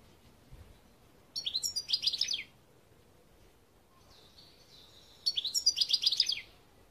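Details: Two bursts of European goldfinch song about four seconds apart, each a fast, jingling cascade of high twitters and descending slurred notes, with a soft thin note between them.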